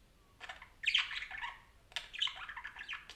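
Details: Parakeet chattering: two bursts of scratchy, warbling squawks and chirps, each about a second long, separated by a short pause, over a faint low hum.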